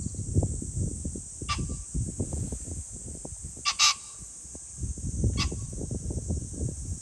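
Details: Pheasant calling on 21 July 2024: three brief harsh, explosive bursts, the middle one doubled, over a low rumbling background and a steady high-pitched droning hiss.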